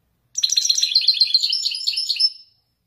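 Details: Wedani goldfinch singing an authentic Marrakech-style descending run, about two seconds of quick, bright, tinkling twitters, thinning toward the end.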